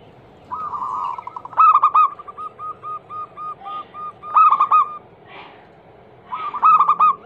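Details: Zebra dove lure song used to make other doves sing: a low fluted coo-phrase with a rolling trill, followed by an evenly spaced string of soft repeated coos, phrase pattern repeated about three times.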